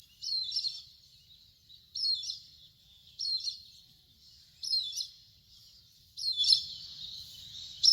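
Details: Indian grey hornbill giving a series of high, shrill squealing calls, each a short descending kite-like note with a slight trill, repeated about every one and a half seconds, the last call longer and rougher, over faint background noise.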